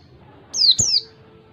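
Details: A single phrase of ngalas wild-type song from an Oriental white-eye, used to teach other birds. Two bright, high whistles each slur swiftly downward, one straight after the other.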